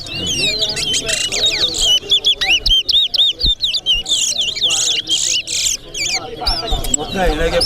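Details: Competition singing by a towa towa in Corriverton: a dense, sustained run of sweet looping whistles and chips, about four notes a second, over faint talking.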